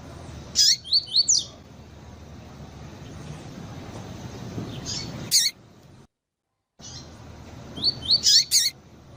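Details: Female double-collared seedeater calling to stir up a caged male: short high chirps and bright buzzy notes in small clusters of three or four, separated by long quiet gaps.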